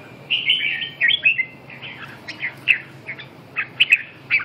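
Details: Red-whiskered bulbul singing a lively warbled phrase of mid-pitched slurred whistles, followed by short separate chirpy notes spaced about half a second apart, against a quiet background.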